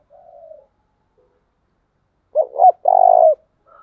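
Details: Decoy spotted dove in 'tieng chim' cooing used for training: a quiet low murmur, a pause, then two quick rising-falling notes and a sustained rough, pulsing coo.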